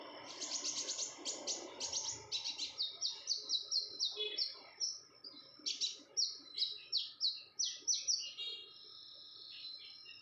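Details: Female red-whiskered bulbul in breeding condition calling persistently: a fast series of short, high, sharp chirps, about two per second, each a quick downward flick. The notes run for most of the ten seconds with a faint low background hum.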